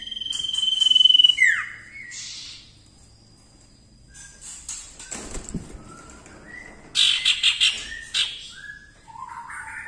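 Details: Actively singing common iora, used as tutor song for other birds: a long whistle ending in a downward swoop, scattered short whistles, then a burst of rapid high chattering notes followed by soft whistles.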